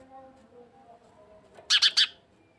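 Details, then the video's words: After a quiet start, three loud, sharp house sparrow chirps follow one another in quick succession near the end. "عصفور دويري صوت"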